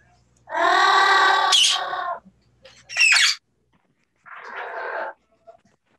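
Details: Two captive parrots at a bird safehouse, said to use English words such as "Are you ok?" and "Are you hungry?" when vocalizing to each other; a long, harmonic, voice-like phrase, then a sharp squawk and a shorter rough call.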